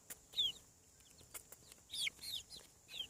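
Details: Hatching chicks on a farm cheep in thin, high, falling notes, with a burst of several overlapping peeps near the two-second mark. Faint ticking sounds fill the gaps.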